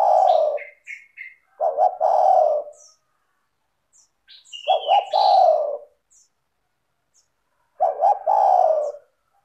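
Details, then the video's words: Spotted dove (tekukur) used to lure other doves into singing: four low coo phrases, each two hoots and a long slurred note, with a burst of three high chirps and a rising whistled slur from other birds. "PANCINGAN suara tekukur gacor rapat merdu dan jernih"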